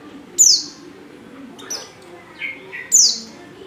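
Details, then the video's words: White-eye hen in heat calling for a male: two bright descending whistles frame a softer, lower double chirp in the middle. "Burung | Pleci | betina | Birahi Memanggil jantan"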